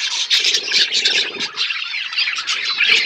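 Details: Several budgerigars eating seeds in a natural outdoor aviary, giving dense, overlapping high warbling chatter with short squawks and chirps, almost continuous throughout.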